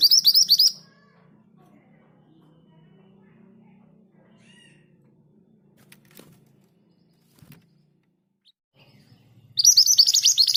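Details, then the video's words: Scarlet minivet in 'ngerol' rolling song, kept among other birds: quick runs of high, upslurred whistles open and close the stretch, with a long hushed gap and faint low hum between them. "Suara ngerol dengan speed yang pas. MANTENAN GACOR"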